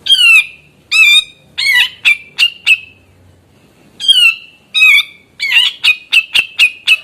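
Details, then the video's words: Actively singing grey-cheeked bulbul delivering two bursts of raucous nasal squawks, each starting with drawn-out falling notes and speeding into rapid clipped notes, with a short pause between phrases. "Cucak jenggot gacor bikin jenggot susah bunyi stres maupun bahan terpukao ikutan bunyi"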